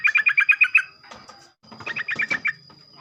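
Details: Sooty-headed bulbul singing in the morning, used to prompt other bulbuls to sing: a quick run of about seven bright, bubbly chirped notes, then a short pause and a second similar run, with a faint steady tone behind.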